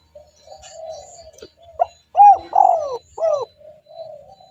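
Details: Spotted dove used as a lure for other doves: soft continuous background cooing, then a loud phrase of two arched coos and a long downslurred coo.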